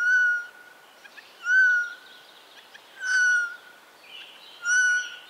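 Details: Eurasian jay giving four clear, level, whistled notes, each about half a second long with faint overtones, repeated roughly every one and a half seconds over a soft hissing background.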